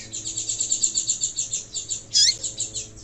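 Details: Female seedeater calling to stimulate males to sing: a rapid, steady series of thin, high chirps at about eight per second, broken by one louder, sharper downslurred note near the end.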